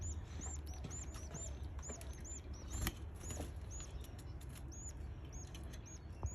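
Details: Canary chicks, day 11, begging and stretching during feeding: scattered thin, high arched cheeps repeated at an uneven pace, mixed with soft rustles and a few sharp clicks over a low hum.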